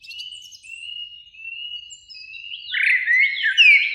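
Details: Evening song of two Eurasian blackbirds in a springtime beech tree near a lake: a long level whistled note held for seconds, then a burst of loud warbled fluting with squeaky upward flicks.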